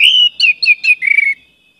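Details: A sustained whistle from an orange-headed thrush gives way to three quick falling slurs and a rapid trilled warble, part of a lively, note-rich song used as a lure recording; no other sounds intrude.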